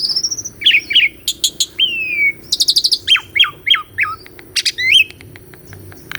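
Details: Live recording of Asian pied starling master song used to train a starling that will not sing: whistled note pairs, a descending slurred whistle, quick clicking rattles and repeated sharp downward chirps.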